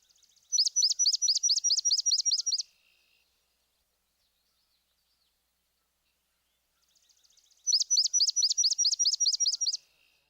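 Swamp Sparrow song, given twice: each a two-second run of about a dozen loud, high, evenly spaced chips, slow enough to count, with a long quiet gap between.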